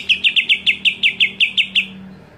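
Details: Greater green leafbird scream, meant to stir up rival leafbirds: ten crisp, high, slightly down-slurred notes, evenly spaced about every sixth of a second, then fading into quiet.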